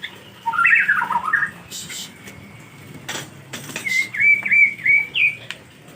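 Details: White-rumped shama in the rainy season, struggling to bathe, giving short whistled phrases that warble and fall around the middle, then a run of clear, slightly rising whistles, with a few sharp clicks and broadband knocks between.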